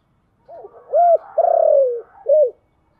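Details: Spotted dove cooing in the 'giọng thổ' style called 'chiêu gù': a soft low coo, then a short hooted note, a longer drawn-out falling coo, and a closing short note, all low and mellow against a silent background.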